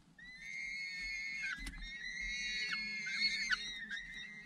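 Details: Adult falcon back at the nest after hunting, feeding its chicks; a long, almost continuous harsh whining scream that wavers slightly and breaks into short downward drops, with a brief click partway through.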